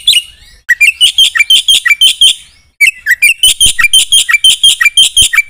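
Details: Black-winged myna singing vigorously in the 'gacor full isian' style: dense bursts of loud, harsh, squawky and whistled notes, about three per second, with a brief pause early on and again near three seconds.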